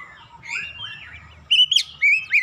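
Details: Oriental magpie-robin song meant to prompt other birds to sing: soft sliding whistles followed by a few loud, clear rising and falling whistled notes over a low background hum.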